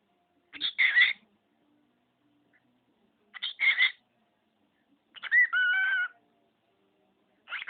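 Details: A talking male pet budgerigar that repeats household phrases and copies sneezes utters harsh, buzzy bursts spaced about three seconds apart, then a smoother drawn-out whistled phrase with clear harmonics; background silent.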